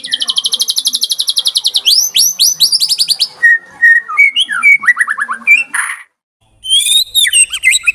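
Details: White-rumped shama in a tembakan song style: a long rapid high trill, then sweeping whistled phrases and a descending series of clear notes, ending in a harsh burst after a short silence.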